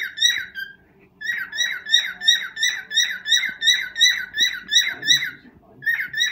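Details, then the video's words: A pet cockatiel sings its first serenade to a mate indoors, a rhythmic series of clear whistled chirps repeated roughly three times a second after a short opening phrase, with a soft low hum underneath. "Chu serenades to Pika 💕"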